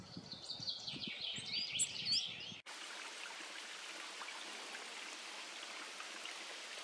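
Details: Coal tits in a Carpathian mountain forest near Maków Podhalański give quick, thin, high-pitched calls for a couple of seconds with some low thumps, then the steady rush of a stream takes over.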